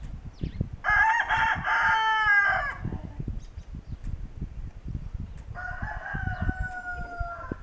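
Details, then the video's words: Kencana hybrid rooster, a homegrown Ameraucana and Barred Rock cross, crowing in a barn on January 26, 2013: a loud rich two-second crow, then a second crow ending in a long, steady held note, over scratching and rustling noises. "Kencana Rooster Crowing"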